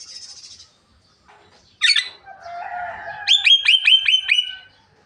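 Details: Javan myna talking and coughing: a high hissing note, a loud harsh burst, a low drawn-out nasal tone, then six quick ringing metallic notes repeated in a regular series.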